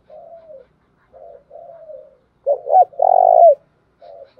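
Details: Decoy spotted dove calling to lure wild doves: soft low descending coos, then a loud burst of two quick notes and a long vibrating coo, with a faint coo after.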